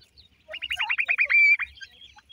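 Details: A single brisk rattle from black francolin chicks of the new season, about eight quick downward-curving notes, ending in a short level whistle and one last note.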